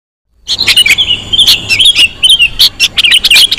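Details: Sooty-headed bulbul lure sound, used to attract wild birds, full of busy high chirps, squeaky whistles and short trills that tumble over one another almost without pause, with sharp clicks scattered throughout.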